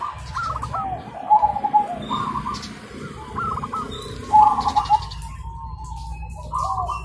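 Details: Zebra doves in a lively morning exchange, answering each other: separate bursts of quick stuttered coos, each a fast string of short notes finishing in a purring coo, spaced with brief gaps, over low rumbling background.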